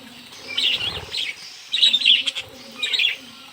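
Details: Budgerigars in a mini aviary chattering while hand fed. Three clusters of sharp, high warbled chirps come in quick bursts, separated by short pauses.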